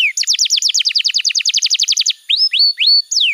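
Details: Canary master song meant to stimulate young or silent canaries: a rapid even run of about twenty falling whistled notes, followed by a few drawn-out rising whistles and a final downward slur.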